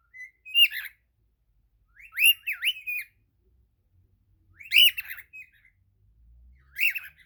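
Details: Singing cockatiel gives four bursts of wavering whistled phrases, each with up-and-down slurred notes and bright harmonics, spaced by brief silences.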